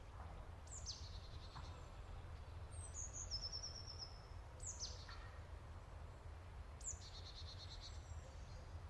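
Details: Golden-fronted leafbird in Kerala singing: faint, high, sharp downslurred notes, each followed by a short buzzy trill, in phrases about two seconds apart over a steady low background hum.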